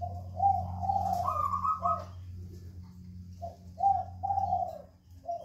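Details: Spotted dove calling in a jungle fowl breeding cage. Repeated low, mellow coos come in two phrases, with a brief higher note between them, over a steady low hum.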